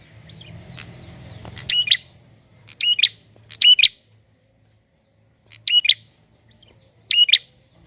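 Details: Energetic male prinia, used to draw out other birds, repeating sharp, high, buzzy double chirps in quick pairs, about five phrases in eight seconds, with a soft low rumble at the start.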